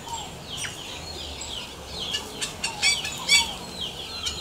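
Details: Yellow-rumped cacique, known locally as xexéu, singing outdoors: repeated descending slurred notes and crisp clicking bursts in quick, uneven succession over a quiet background.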